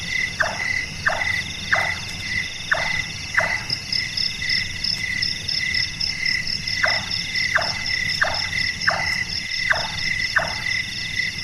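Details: Large-tailed nightjar (Caprimulgus macrurus), active at night, with a call compared to a carpenter hammering: two runs of steady knocking, five notes then six, each note a brief downward slide, separated by a pause, over persistent insect buzzing.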